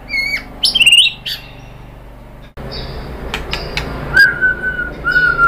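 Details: White-rumped shama song meant to provoke other birds: scattered sharp whistles and clicks with gaps, ending in two long, level whistled notes.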